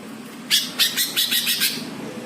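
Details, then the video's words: Greater green leafbird training song meant to provoke other birds, tagged Jepara: a quick run of six raspy, buzzy notes at roughly even spacing over a second. "MASTERAN CUCAK HIJAU BIKIN EMOSI BURUNG LAIN"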